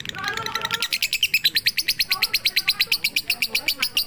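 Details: Lovebird 'pigter' song meant for evening tutoring: a brief softer, lower opening, then a rapid row of piercing, evenly spaced chirps that keeps going to the end.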